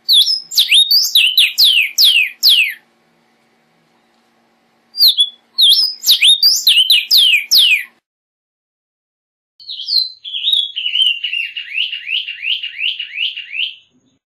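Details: Vermilion cardinal song in three parts: two rich phrases of rapid, sharply down-slurred whistles, then a steady run of about a dozen quick, identical falling notes repeated evenly like a trill.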